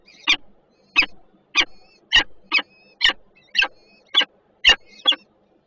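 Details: Peregrine falcons at a nest at the Żerań power plant in Warsaw, Poland, on 28 June 2022, one bird guarding while the other arrives with food, filmed by nest camera: harsh rasping calls repeated about twice a second.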